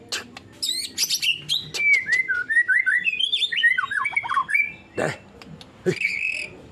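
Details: White-rumped shama song: a rich varied run of whistled slurred notes, rising and falling phrases with quick chattering elements, followed by a few sharp isolated calls and faint background noise.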